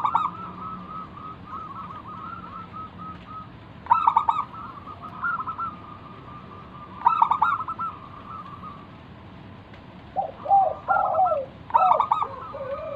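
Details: Wild-type local zebra dove song meant to lure other doves into singing. Sharp stuttering coo bursts come every three to four seconds, with a lower bubbling rolled phrase near the end.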